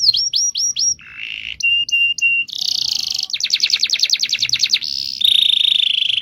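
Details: Canary giving a long rolling song used as a master recording: rapid varied phrases of clear high whistles, sharp repeated chips, buzzy rolls and fast pulsed trills, each phrase a few notes repeated before switching abruptly to the next.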